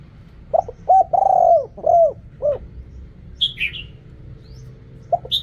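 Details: Spotted dove cooing in the Thai 'riak kham, khu kham, ok rong' style: a clipped note, a coo, a long falling coo, then two shorter coos. Small high chirps from another bird follow, then a quick coo restarts.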